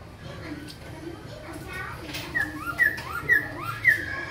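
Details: Caged young Black-throated laughingthrush from Cao Bằng, tail feathers just starting to grow, gives loud whistled notes that rise and fall, repeated roughly every half second in the second half, over a low murmur of room noise.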